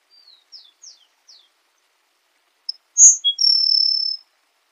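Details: Grassland sparrow song: a few faint, thin, high descending slurs, a pause, then a sharp high note, a short lower chip and a long, even, insect-like buzz lasting about a second, in a quiet setting.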